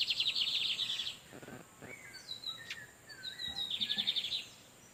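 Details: [3, 'Wild male lined seedeaters exchanging song near a nesting female who is incubating. A fast buzzy trill of repeated high notes opens the clip. Thin slurred whistles follow, then a second trilled phrase comes near the end.']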